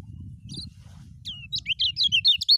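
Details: Lemon-bellied white-eye singing in the continuous 'ngejos' style, used as a training recording: after a faint opening note and a down-slurred whistle, a rapid run of high, twisting whistled notes builds in loudness over a soft low rumble.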